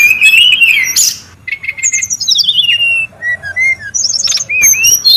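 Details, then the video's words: Wild brown-chested jungle flycatcher, busy and noisy, recorded for luring and tutoring birds: clear whistled phrases, descending slurred note series, and quick rising upslurs follow one another with short gaps. "SUARA PIKAT DAN MASTERAN BURUNG SRDC(sikatan rimba dada coklat) RIBUT DI ALAM LIAR"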